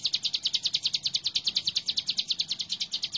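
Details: Hill prinia singing hard, a recording meant for teaching other birds: sharp high notes repeated quickly and regularly, roughly two and a half each second, loud and unbroken throughout.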